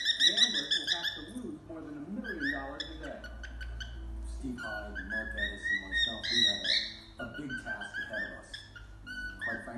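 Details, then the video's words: Young cockatiel chick in its first days of whistling, trying to copy the songs it knows, "If You're Happy and You Know It" and "Opa Opa", not yet quite right; bright, warbling, melodic whistled phrases with rising and falling notes, plus soft chatter. "Baby Pecky’s first days of whistling - Cockatiel"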